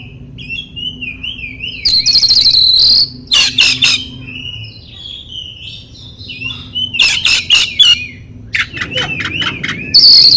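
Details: Oriental magpie-robin song played to coax silent or stressed birds into singing. Warbling, wavering whistles are broken by loud harsh buzzy bursts and short rapid chattering series.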